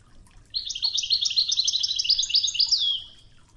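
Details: Wedani goldfinch song of the Toghza type, recorded for training with river water murmuring: one continuous two-and-a-half-second stream of rapid, tinkling twitters ending in a downward-sliding whistle.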